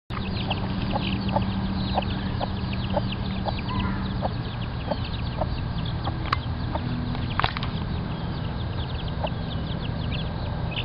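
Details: Many chicks at a nursery, said to be everywhere, give a dense chorus of short, thin, high peeps that overlap constantly, over a steady low hum and rumble, with a few sharper louder notes near the middle.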